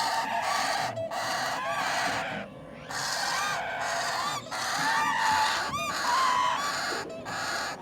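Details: Parrot chicks being hand-fed give loud, harsh, raspy begging cries almost without pause, broken by brief silences, with short whistled rising-and-falling notes laid over the rasping.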